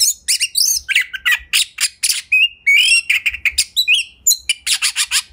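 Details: Home-kept Oriental magpie-robin singing hard in ngobra style as a lure so other kacer open up their repertoire; fast harsh squawky bursts interspersed with short bright whistles, ending in rhythmic repeated rasps.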